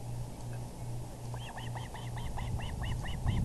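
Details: Osprey at a nest on the evening of April 6, 2020, around 6:30pm EDT, as the male brings in a big fish; a run of about ten clear, high whistled chirps in quick succession over a steady low hum.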